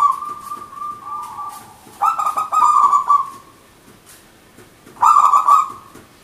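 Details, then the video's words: Local wild-type zebra dove (perkutut) singing in the manggung style, used as a lure: a long steady coo, then stuttering, bubbly phrases that end in a drawn-out coo, repeated after a pause. "Perkutut Manggung Gacor Gayer 100% lokal alam"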